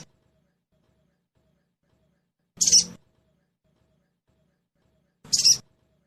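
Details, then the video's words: Crested jay (sogon) giving its trotol call, used by keepers as a lure to make the bird sing quickly: two short, harsh, hissing bursts about two and a half seconds apart, separated by silence. "Suara pancingan SOGON TROTOL agar cepat bunyi"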